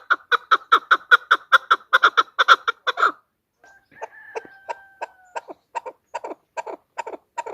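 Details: A female chukar, whose voice serves as a hunter's lure, gives a quick rhythmic burst of throaty clucks, pauses briefly, then utters a drawn-out, slightly falling tone followed by more measured chuk notes.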